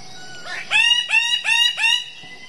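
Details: A wild bird-of-paradise gives four loud, nasal, harmonic notes in quick succession, each sliding up then levelling off, under a thin steady background whine.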